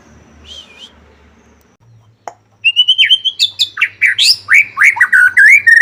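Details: White-rumped shama song for provoking other shamas to sing: after a faint note and a click, a fast loud sequence of varied whistles, sweeping up and down, with scratchy chips between them.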